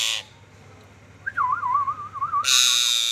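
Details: Ringneck parrot giving a wavering, warbled whistle that rises and dips quickly around a steady pitch for about a second and a half, framed by loud harsh noise bursts at the start and end.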